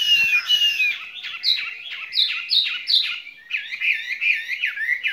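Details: Spring love song from a caged skylark: an opening thin whistle gives way to a string of loud, bouncy, looping chirps repeated at a brisk, steady pace.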